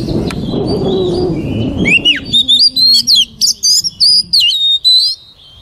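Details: Voice-training song of a white-rumped shama: after a murmur of low background noise, a rapid string of bright whistles begins with a falling slur, then runs through short high rising and looping notes, one every fraction of a second.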